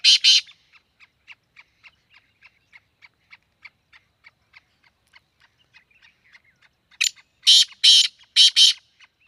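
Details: Black francolin in Sindh, Pakistan opens with two loud rasping notes. A long series of faint regular ticks follows at roughly two per second, then three more harsh, broad, scratchy bursts.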